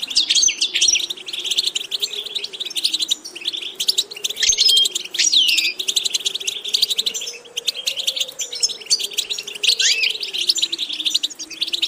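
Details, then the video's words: Long sustained goldfinch song from a bird being taught diverse vocal repetitions; dense liquid twittering interspersed with clear whistled notes and downward-sweeping slurs, almost unbroken, above a low wavering hum. "Watch how to develop a distinctive vocal character for the Goldfinch"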